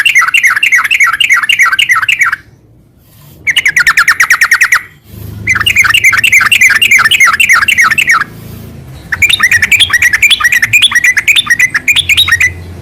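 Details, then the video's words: Yellow-vented bulbul (trucukan) song, gacor garuda sambung ngeropel type: long bursts of very rapid, chattering repeated notes, about three per second, broken by short silences, with a low background hum in places. "Suara kicau burung trucukan gacor garuda sambung ngeropel"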